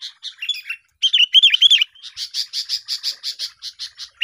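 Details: Sooty-headed bulbul singing as a trapping lure: a run of liquid, wavering whistles rising and falling around the middle pitch, then an even series of crisp chip notes repeated about four times a second.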